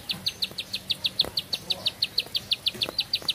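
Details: Bar-winged prinia giving a brisk series of bright, high clipped notes, about six per second, against a quiet background.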